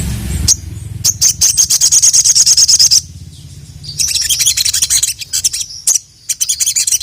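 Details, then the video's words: Sogon, the crimson sunbird, singing gacor to call a male: a sharp opening note, then a long run of fast, thin, high chirps, a brief lull, and more scratchy twittering bursts over a faint low hum. "SUARA BURUNG SOGON YANG GACOR MEMANGGIL JANTAN"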